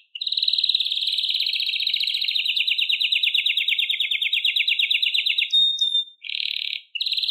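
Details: Canary, Serinus canaria, delivering a long rolling trill that slowly falls in pitch over five seconds, then a thin pure whistle and short buzzy bursts.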